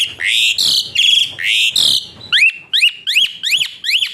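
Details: Asian pied starling giving whistle-like song, described as harsh, rapid 'shots' for training other birds: several loud, rough, buzzy notes, then a quick run of rising whistled sweeps, about six in two seconds.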